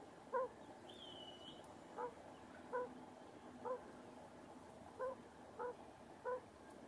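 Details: Broody quail hen with her chicks; short, low clucking notes with a fainter overtone, seven of them in under seven seconds at roughly one-second gaps, over a steady quiet hiss.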